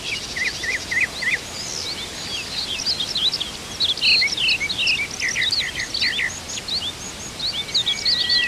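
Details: A Rosy Pipit, a stray bird found on Oeyeondo island, South Korea, during spring island birding, gives thin, high chirps and twittering notes in quick, uneven bursts over a steady background hiss.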